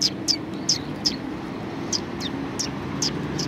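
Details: Several sparrows at a Tenmangu shrine in February 2020 give short, high chirps at an uneven pace, roughly two or three a second, over a steady low hum of traffic.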